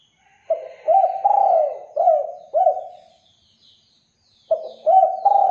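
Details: Spotted dove lure song meant to draw replies from other doves: deep rounded coos given in a quick run of five, a pause, then three more, with faint high chirping behind.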